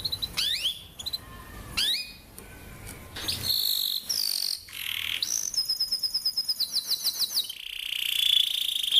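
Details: Canary training song for young birds, with varied high swoops, short whistled phrases, a fast run of descending chirps and a closing buzzy trill.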